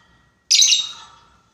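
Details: Lovebird lure recording of ngekek calling a rival: a single loud, harsh, high-pitched screech fading slowly over almost a second.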